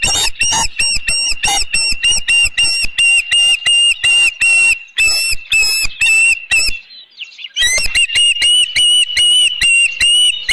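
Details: Osprey calling at the Dunrovin Ranch nest on 19 May 2018 in the afternoon, fish brought in, nest camera: fast series of high whistled chirps, breaking into a brief silence with a soft rustle near seven seconds, then resuming just as rapidly.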